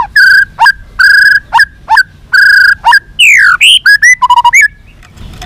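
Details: White-rumped shama giving long song to incite fighting: strong steady whistled notes repeated about once per second, then downward sweeping whistles and a quick series of short notes.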